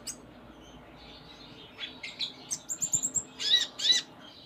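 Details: Sunda minivet (konin, kolibri ninja) in lively gacor song full of isian filler phrases: a quiet start, then sharp high chirps, thin whistled notes and two buzzy bursts near the end.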